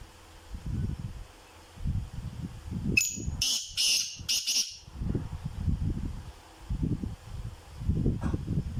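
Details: Sindhi black francolin, a kept bird offered for sale, gives a short harsh burst of about four rasping, wideband notes packed into under two seconds, set against low thumping and rustling noise before and after.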